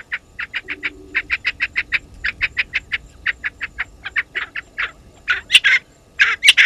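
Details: Spurfowls calling at Gowrie dam waterhole, Djuma Game Reserve, Sabi Sand, South Africa: loud harsh cackling notes repeated about once a second in a long rhythmic series, ending in louder ragged screeches.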